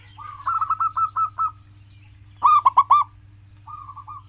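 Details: Local zebra dove (perkutut) singing, played to prompt pet doves to sing: a soft, fast-rolling run of coos, a loud ringing phrase, then a brief quiet trill, with a constant low hum behind.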